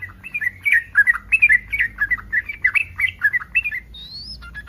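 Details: Yellow-vented bulbul in breeding mood calling to stir rival bulbuls into responding: quick bubbly chirps repeated for four seconds, then a single thin rising whistle from another bird.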